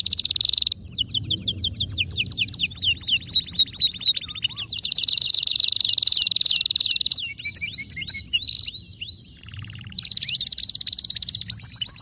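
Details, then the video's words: Excited male canary in full song: rapid trills of repeated down-slurred notes, then a sustained buzzy high tour, a scratchy rolled phrase, a lower dip and a fresh bright trill, with a faint low background hum. "هيجان ذكرى كناري سيجبر كناريك على التغريد فورا"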